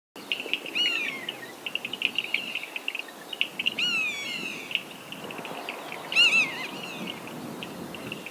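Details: A Common (Steppe) Buzzard in Africa gives three drawn-out, mewing, downslurred calls about three seconds apart, over a steady background of small birds or insects chirping rapidly.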